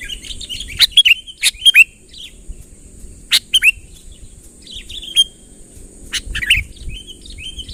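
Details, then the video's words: Sooty-headed bulbul calling a rival to come closer, natural with no added song: short bright chirped notes, some sliding down, given in scattered bursts with quiet gaps, over a steady high hiss and faint low background rumble. "suara burung kutilang ASLI tanpa isian, gacor memanggil lawan mendekat"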